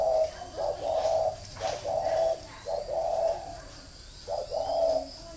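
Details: Caged decoy spotted dove from Ba Vì, Hanoi, Vietnam, calling in the thổ mổ còi style: low, hollow coos in short phrases, roughly one per second, steady throughout, with a faint background hiss.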